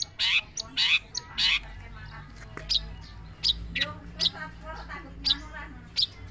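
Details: Long-tailed shrike singing harsh, raspy bursts mixed with short high ticking notes at uneven intervals, over a faint low background hum.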